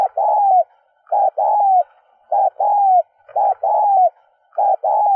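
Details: Spotted dove lure recording meant to stimulate cooing: low, soft coos, a brief note then a longer, slightly falling coo, repeated about once a second against a quiet background.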